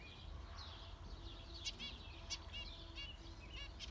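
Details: Softer, more distant zebra finch calls: brief nasal beeps and short buzzy rattles scattered through, over a noticeable low hum and background hiss.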